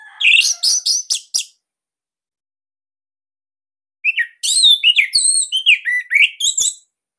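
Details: Caged Bali orange-headed thrush singing a loud song used as training material: a short burst of harsh notes, a pause, then a long rapid phrase of varied slurred whistles and chirps.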